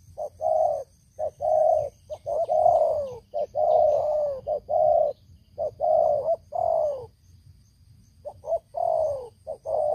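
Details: Spotted dove, a long-kept decoy bird used to lure wild doves, noted for its loud voice: deep, hollow cooing notes in quick rolling groups, each about half a second, with a short pause near the end over faint background hiss.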